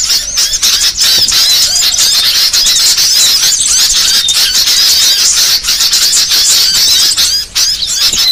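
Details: Varied small-songbird song used to train songbirds: dense, shrill chatter and fast twittering over the whole stretch, with faint clicking in the background.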